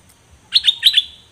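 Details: A 'nok dok taeng', one of two birds recorded in 2020 as a song model for young birds, gives a short burst of four sharp, high chirps after a brief pause.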